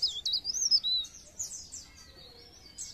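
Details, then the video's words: Brief burst of pare pare bird song meant to stimulate other birds to sing: sharp, high, rapidly modulated whistles that fade into a thin, sustained twitter. "Pancingan bunyi ampuh burung pare pare"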